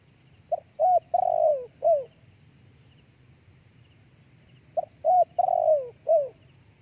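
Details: Spotted dove cooing live as lure material for speaker playback: one four-note phrase repeated after a pause, short coos leading into a long rough downward-sliding note and a closing slurred coo, with a steady high tone behind.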